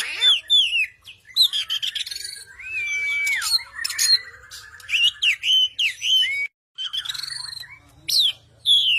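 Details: Oriental magpie-robin singing a rich fighter-style song: dense rising and falling whistles, harsh squawky notes and fast high chips, with a rapid low rattling run in the middle and a brief break near the end.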